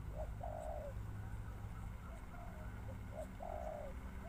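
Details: Spotted dove giving two phrases, each a short lead-in coo followed by a long, level, then falling coo, over heavy low background rumble.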